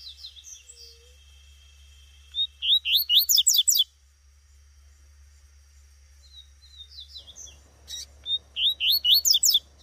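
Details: Wild Double-collared seedeater, a female, calling in bushland. Faint twittering is followed by two loud runs of quick, rising, high-pitched chip notes, each run lasting over a second.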